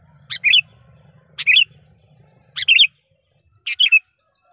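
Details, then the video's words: Captive sooty-headed bulbul (kutilang) lure bird calling to attract wild bulbuls: four short, bubbly two-part calls, a sharp note then a warbled phrase, about once a second, with a faint low hum underneath. "suara panggilan kutilang pikat"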